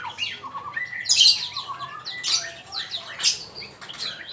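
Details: Male magpie-robin in song, recorded for training birds: a loud, harsh squeaky burst, then lower looping whistled notes and further high scratchy phrases, with a brief quieter pause between bursts.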